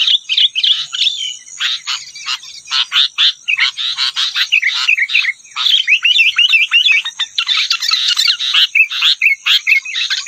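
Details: Rufous-tailed robin song, free birds outdoors competing against caged birds: a continuous ten-second stream of rapid high chirps, trills and twisting whistled notes with barely any pauses, a constant thin high tone behind.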